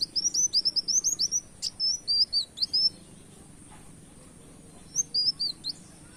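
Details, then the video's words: Canary-style song (tembak kenarian) from a brown-throated sunbird on a luring recording: a fast burst of high, squeaky, bending notes lasting about three seconds, a quiet gap, then a shorter phrase of similar twisting notes near the end. "Suara Kolibri wulung gacor tembak kenarian"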